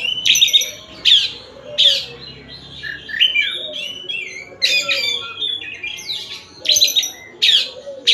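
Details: Oriental magpie-robin from Tasik in varied song: sharp loud chattering bursts at intervals of under a second, interleaved with softer whistled warbles and downslurred notes.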